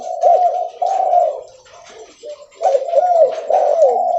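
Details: Loud, frequently calling spotted dove (derkuku leopard) walking as it calls; deep throaty coos in two bursts separated by a quieter pause, with faint rustling behind.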